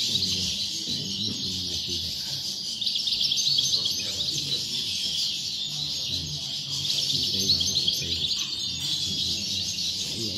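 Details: European goldfinches at a singing competition, Sant Joan Despí, Barcelona, 30/11/2019, pour out a steady stream of bright twitters and trills that swell and ease, over a soft hum of low voices in the hall.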